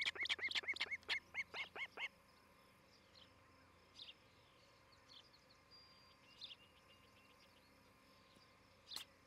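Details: At a Charlo, Montana osprey nest on 11 July 2018, a quick series of about ten shrill chirps fills the first two seconds, followed by quiet background with faint scattered bird notes and one sharp click.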